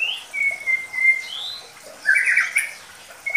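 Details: Medan White-rumped Shama lure song for young birds: a short high note, a long level whistle, a soft upward slide, then a loud burst of rapid jumbled notes and a closing whistle.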